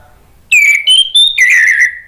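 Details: Orange-headed thrush singing as a lure for other thrushes: one continuous phrase of clear, ringing whistles, sliding down and stepping up, ending in a long slurred note.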